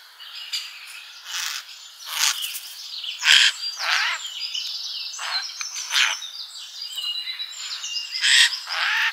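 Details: Summer garden feeder scene with scattered bird chips, rasps and thin whistled notes coming irregularly, plus a sharp click partway through.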